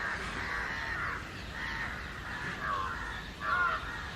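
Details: House crows in a mixed flock with jungle crows, flying and calling loudly against someone in a tree; hoarse, harsh caws overlap into a steady chorus, with louder individual caws near the end.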